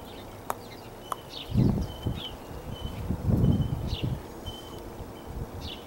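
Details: A crow clicking at a person, taken as communication with them: two sharp, dry clicks about half a second apart, then low muffled thumps and faint short chirps in the background.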